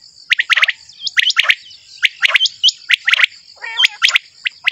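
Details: A male common quail gives repeated clipped phrases of two or three bright notes, about one phrase per second, with small high chirps between them and a constant faint high-pitched hiss behind.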